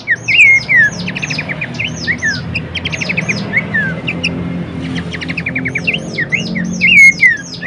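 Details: Horsfield's babbler song as a model for training cage birds: loud slurred whistles mixed with fast clicking trills and high chirps, pausing briefly midway before resuming strongly, over low background hum.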